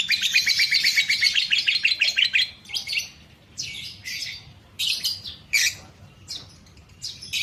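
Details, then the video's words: Lovebird ngekek meant to rile a rival: a rapid high chattering trill for a couple of seconds, then breaking into separate scratchy bursts with short silences between them. "lovebird ngekek bikin lawan emosi"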